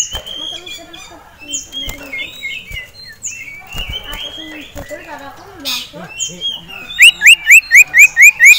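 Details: Caged male sirtu, worked up at a rival and a female, mixes varied chirps before a loud run of about eight evenly spaced rising whistled notes at the end.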